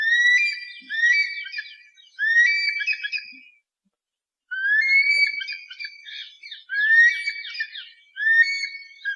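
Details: Eagle screaming to frighten pests away, strident upslurred whistles in quick clusters, with one long silent gap midway before the shrill harmonic calls resume.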